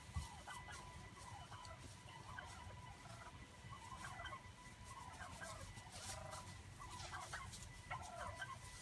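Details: Wild turkeys in a back yard in 2016 give short bursts of rapid, rattling clucks and gobbles, repeated every second or two, over a steady low rumble; turkey.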